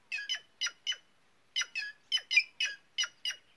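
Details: White-naped jay calling with rasping, nasal squawks, mostly in rapid doubled notes, a short pause midway, then a faster run of about seven harsh notes; no other sounds.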